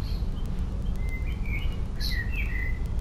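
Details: European robin singing on 20 May 2018: thin, high whistled phrases, some drawn out and slightly wavering, over a constant heavy low rumble of background noise.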